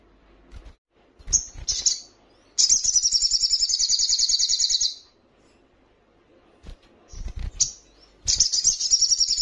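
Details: High trilling mating call of a female little spiderhunter summoning a male: a few sharp chips, then a long fast chattering trill of about two seconds, a pause, more chips and another trill starting.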